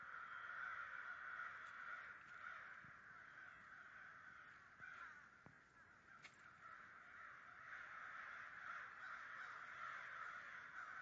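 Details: Roughly 100 American crows gathered in a large group in New Jersey in 2011, cawing at once; overlapping rough caws form a steady din, with a few sharper clicks and taps briefly breaking through.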